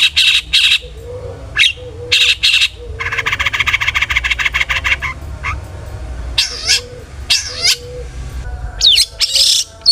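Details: Long-tailed shrike singing to provoke other shrikes: scratchy buzzy notes, a long fast rattling burst over about two seconds, then sharp slurred whistles and harsh chatters, with a steady low hum beneath.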